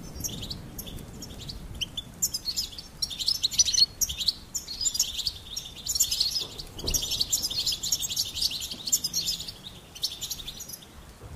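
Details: Goldfinch singing a sustained, dense, high-pitched twittering warble, with scattered chirps before and after and a faint low background.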